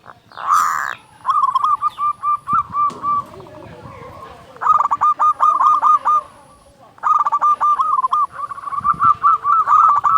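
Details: Local zebra dove with a big voice, song used to provoke silent or stressed doves into singing; long series of rapid bubbling coo phrases in close succession, with faint background rustling.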